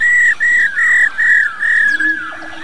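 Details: Female White-browed laughingthrush, old and wild, calling rò to stimulate males. Loud sustained whistled notes follow one another almost without pause, each ending in a slight downward slur, before a soft low tone.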